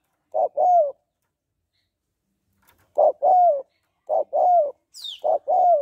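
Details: Spotted dove hen calling to excite males, local style gáy gọi, thúc, gù: paired low coos, a brief note followed by a longer falling note, with a gap before three quick repeats and a faint high chirp.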